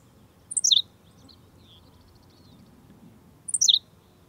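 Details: Henslow's sparrow song: two short, high, hiccupping 'tsi-lick' phrases about three seconds apart, each dropping in pitch, with faint soft chips and a low rural hum between.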